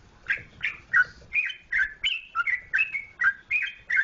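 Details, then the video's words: Sooty-headed bulbul from Yogyakarta, Indonesia, singing a run of short, liquid, bubbly notes, each slurred up or down, about every third of a second with brief gaps; faint low rumble beneath. "Trucukan Jogjakarta"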